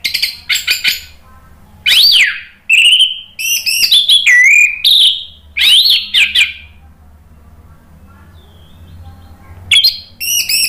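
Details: Orange-headed thrush song for baiting other birds to reply: varied loud phrases of sweeping whistles, rising and falling slurs and sharp chirps, packed closely, followed by a quiet gap and more short notes.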